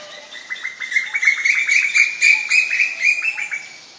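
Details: Female Asian koel giving a fast, even run of sharp clipped notes, roughly four per second, at one steady pitch. The notes swell in loudness through the middle and fade near the end, with faint higher overtones.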